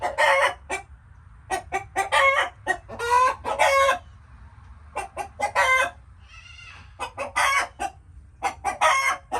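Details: Chickens clucking in quick clusters of short notes and longer raspy cackles, separated by quiet spells of a second or so.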